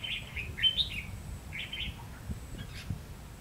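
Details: Red-whiskered bulbul decoy singing to lure birds into a trap, 30 May 2016, 'ché' style: quick clear whistled notes in short bouncy phrases, a loud burst early then a softer pair, over a low rumbling background.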